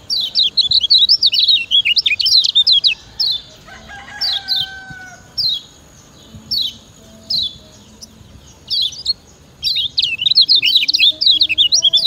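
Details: Lombok kecial kuning (Lemon-bellied white-eye) master song for teaching other birds: bursts of rapid high twittering at start and end, separated by evenly spaced single chirps, with brief lower whistles early on.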